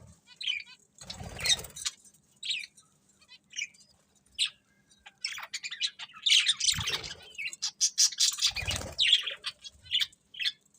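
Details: Cheerful pet budgerigars chattering over their food: a steady stream of short chirps, squawks and warbled twitters, broken by a few dull knocks and rustles.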